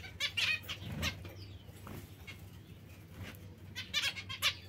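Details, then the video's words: Zebra finch giving a few clipped nasal calls at the start and a quick cluster near the end, quieter gaps between, with a low steady hum beneath. "Il diamante💎 mandarino🍊"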